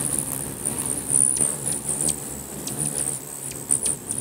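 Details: Crowd of hummingbirds squabbling territorially around a feeder in Bigfork, Montana: shrill, very high chirps and brief squeaks break through a constant high hum of whirring wings, several sharp ticks near the end.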